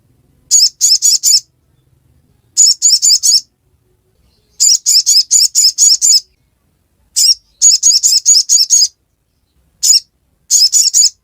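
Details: Sogon, or ruby-cheeked sunbird, giving ngiriwek song: repeated bursts of four to seven sharp, high, buzzy notes, the bursts roughly every two seconds with brief silences between, one single note near the end, and a clean, quiet background.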